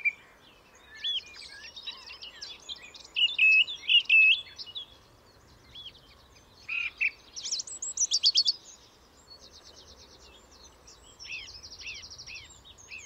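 Song thrush singing loud, varied phrases of clear whistles and sharp chattering notes, several phrases repeated two or three times, over a faint steady background hiss.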